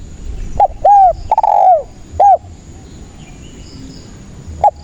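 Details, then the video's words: Lively spotted dove used as a trapping lure delivers one cooing phrase: short clipped notes, a long descending coo and an ending coo, followed by quiet and one faint coo. "SUARA BURUNG TEKUKUR GACOR INI PALING AMPUH UNTUK PANCINGAN DAN PIKAT DERKUKU MALAS BUNYI"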